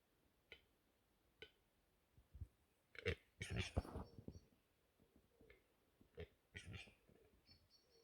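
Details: Angry capercaillie cock, Lääne-Nigula parish, Läänemaa, Estonia, April 2021: scattered soft clicks build into a loud cluster of guttural gurgles and rasps, then more spaced croaks and faint high squeaks at the end.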